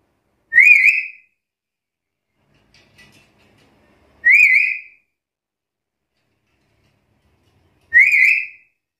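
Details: Black-capped lory calling against rivals: three piercing, slightly rising whistled notes spaced roughly three and a half seconds apart, with a faint soft rustle in one gap.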